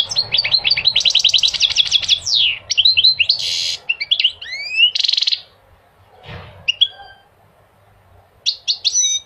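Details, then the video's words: Goldfinch song used to encourage males to sing and to teach young goldfinches: fast rippling twitters, a rattling trill, buzzy harsh bursts and upward-sweeping whistles, then a lull with a few sharp chips before the twitter resumes. "Singing the goldfinch is amazing song"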